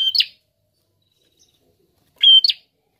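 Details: Two loud high phrases from a prinia, each a brief level whistle joined to a harsh buzzy upward flick, separated by two seconds of quiet.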